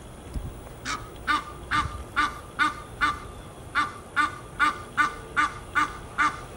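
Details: Geese in Fort Lauderdale, Florida, USA, calling in a regular sequence of harmonic honks about twice a second, with a couple of low thumps early on.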